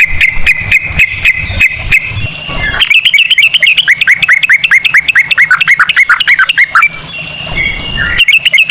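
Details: Sooty-headed bulbul ropel lure: sharp ticking chirps repeated quickly, then a long, rapid rattle of bright descending notes, ending in louder whistles.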